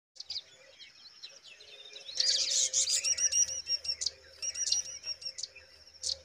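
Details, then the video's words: Pipit nestlings in the nest giving high, thin begging calls, rapid overlapping squeaky chirps that swell in a loud burst midway and then come in repeated short bouts, with a faint low hum beneath. "Pipit bird babies looking beautiful in nest"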